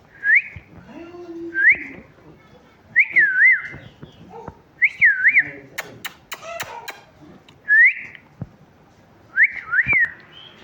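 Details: Pet talking parrot repeating short upslurred whistles, several doubled into quick wavy pairs, spaced irregularly, with a burst of sharp clicking taps midway and quiet indoor background.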